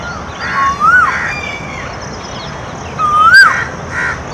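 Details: Harsh, raspy crow caws in short bursts, alongside a clear rising whistled call from another bird, while a nilgai eats green tree leaves; koel and peacock are also said to be heard in the background.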